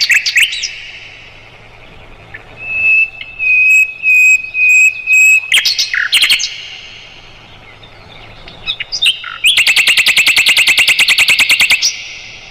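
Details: Song of a Mugimaki flycatcher used to tutor songbirds like the White-rumped shama: steady level whistles, a few abrupt notes, then a long, very fast rattling trill of tightly packed notes.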